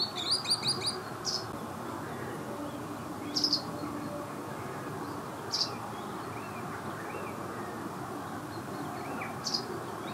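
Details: Green sandpipers at NSG Ahsewiesen nature reserve, Lippetal, 16 July 2018 at 07:25: a quick run of high, ringing whistled notes, then single sharp high calls every two or three seconds over a steady rushing background.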